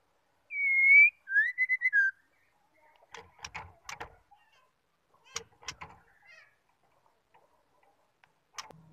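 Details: Female white-rumped shama calling to stimulate males: one long even whistle, a rising slur and rapid short notes dropping lower, then several seconds of clattering clicks and light knocking.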